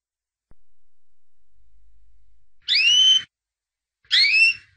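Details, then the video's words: Albino white canary, called a 2017 champion, giving two separate rising whistled notes with overtones, about one and a half seconds apart, after a faint steady tone. "White Canary Singing (Albino)"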